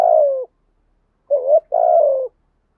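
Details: Spotted dove, male and female voices, calling to stir other doves to answer: a long level-to-falling coo, a pause, then a short wavering note leading into another long falling coo.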